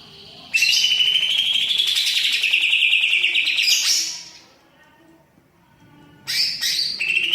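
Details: Greater green leafbird (cucak ijo) singing vigorously, its song loaded with mimicked phrases: a loud, sustained high trilled warble for about three seconds, a pause, then another bright high-pitched burst.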